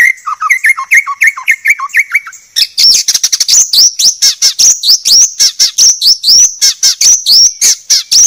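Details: White-rumped shama singing a clear masteran tutor phrase. Mid-pitched slurred whistles repeat quickly, then switch to a long, fast, high-pitched run of sharp, rising chips at about four per second.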